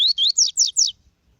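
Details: Tui-tui style song of a double-collared seedeater, recorded with a female for training a male bird: five bright, ringing whistled notes, the first rising, the later ones sliding steeply downward, delivered rapidly and then stopping.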